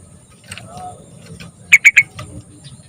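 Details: Young yellow-vented bulbul, recorded as a lure to get birds singing: a quick run of three crisp, high chirps in half a second, with fainter chirps around them and low background hum.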